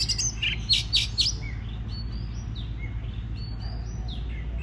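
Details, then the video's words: Oriental magpie-robin song used to prompt birds into singing, opening with three loud rasping chirps, then a string of soft high whistled slurs over a constant low background hum. "Choè than hót kích bổi nghe là hót"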